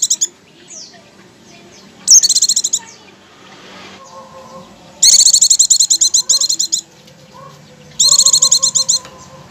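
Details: Lure recording of Oriental white-eye song meant to make the birds sing straight away: high, fast, buzzy chattering bursts of up to fifteen notes, with quieter whistled notes and faint hiss between bursts.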